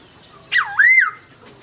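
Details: Laughingthrush at dawn giving one loud swooping whistle that dips low, then rises and bends back down in a smooth curve.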